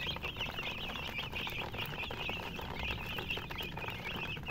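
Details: Steady chirping from chickens accompanied by a hen, a soft continuous band of high twittering peeps without pause.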